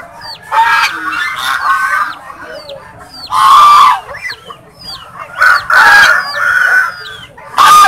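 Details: Captive swans honking: brassy, blaring honks in bursts lasting about half a second, separated by quieter gaps full of high, thin, falling whistled squeaks from the flock.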